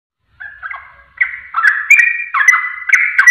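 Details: Sooty-headed bulbul (trucuk) song used as a masteran for training caged birds: after a short silence, bubbly whistled two-note phrases start softly and grow louder, each slurred up and down, repeating quickly.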